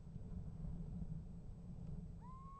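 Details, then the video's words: Little owl calling at a nest box on 28 January 2015: a strong low rumble fills most of the recording before one rising whistled call begins at the very end and is cut off. "Steenuil roept en krijgt antwoord"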